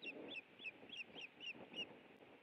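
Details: Osprey at the Hellgate nest, Montana, eating a fish in the afternoon of 30 April 2017: seven ringing, slightly slurred whistled chirps with a low rumble under them.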